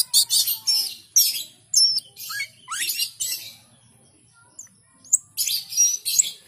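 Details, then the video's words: Asian pied starling singing energetically, a lively run of harsh chattering bursts mixed with sharp whistled notes and rising slurred squeaks, with a brief pause before the chatter resumes. "Jalak keling gacor dor"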